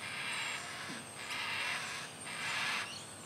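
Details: A yellow-tailed black cockatoo chick in a tree in Sydney, being fed macadamia nuts by its mother, gives harsh, creaky, grating begging calls in three long rasping bursts, about one each second, over a steady airy hiss.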